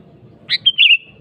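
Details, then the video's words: Sooty-headed bulbul singing to call out a rival: one quick phrase of a rasping burst, a pure whistle and a tumbling liquid slur ending in a thin held tone, over a low background rumble. "BURUNG KUTILANG GACOR MEMANGGIL LAWAN"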